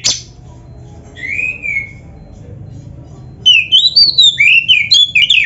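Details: Black-breasted kacer, oriental magpie-robin, in a master training recording for caged birds: a sharp click, a lone drawn-out slurred whistle, a pause, then a quick tumbling series of varied high whistled notes.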